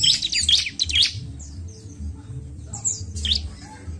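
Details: Bar-winged prinia song for stimulating birds: a quick run of bright, sharp chirps at the start, then sparse thin whistled notes, over a steady low hum.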